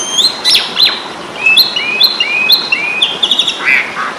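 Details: Asian pied starling in a fighting-style song used as training material for other birds: a series of clear whistled notes, several rising and falling slurs, with sharp high chirps and a buzzy ending.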